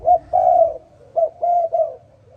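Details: Spotted dove in the morning giving soft, hooting coos: a quick short note and a long sustained croo, then after a gap three more coos, the middle one longest.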